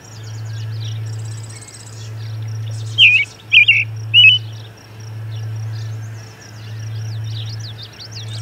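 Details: Singing robin beside an osprey nest at Charlo, mid-June 2020 late morning, as an osprey comes back; three clear warbled phrases in quick succession amid faint high twitters from other birds and a continuous low hum.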